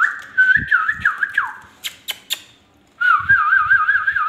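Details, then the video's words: Indian ringneck parakeet giving rapid wavering whistles, a first warbled phrase breaking into falling notes, a few sharp clicks, then a steady trilling whistle, with soft low thumps underneath. "ringneck talking sweet parrot"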